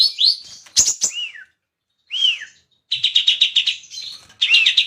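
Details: Cucak cungkok bulbul giving clear whistled notes that rise and then slur downward, interspersed with sharp chips and a short burst of rapid buzzy chatter.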